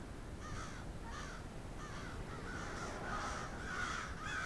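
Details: Flock of crows in Moncton, New Brunswick, Canada: hoarse caws repeated roughly every half second, several birds overlapping, growing busier in the second half.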